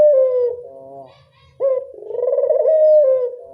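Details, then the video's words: Local Barbary dove used as a lure: the tail of one falling coo, a short quiet gap, then a sudden rising note leading into a long rolling purr. "Pancingan burung puter lokal"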